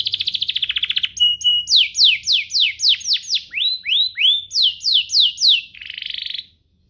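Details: Singing canary used to encourage other canaries to sing: a rapid rattle, then loud descending whistled sweeps at about three per second, ending in a short buzzy trill.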